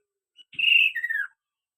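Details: Kaso-kaso bird gives a single clear whistled phrase, holding a steady high note before sliding downward in two steps, in an otherwise silent setting.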